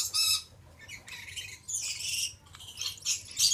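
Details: Male Stella's lorikeet, subspecies goliathina, uttering repeated harsh, high-pitched squawks and chattering screeches in several bursts.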